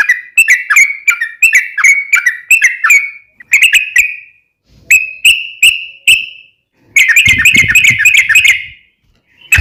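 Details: Yellow-vented bulbul song meant as daily training material: bursts of rapid, clear whistles, then a few separate drawn-out notes, and a final dense chattering flurry over a low rumble.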